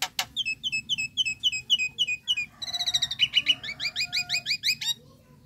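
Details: Nias hill myna calling bird, relaxed calling sound: a long run of quick repeated whistled notes, then a fast chattering burst and more paired whistles, all high and clear over quiet background.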